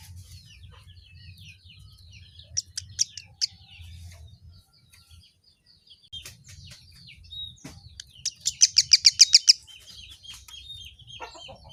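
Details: Kemade uttering a few sharp high notes, then a rapid accelerating series of about ten ringing chips, with softer twittering and low background hum throughout.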